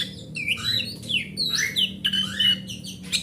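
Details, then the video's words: Oriental magpie-robin kept at home, song used as a lure for magpie-robins that have stopped singing: series of melodious whistled phrases, many sliding down or rising, in bursts roughly every half second with some scratchy notes. "Suara Master Burung Kacer"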